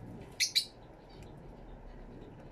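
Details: Fischer's lovebird in an aviary, recorded on a camera with two external microphones: two short, shrill, high chirps close together, followed by a quiet room with faint distant ticks.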